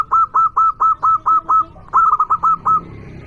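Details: Loud local zebra dove cooing to call and provoke rivals. Eight evenly spaced, clear mellow coos, about four each second, lead into a faster cluster of shorter notes before the sound fades into faint hiss.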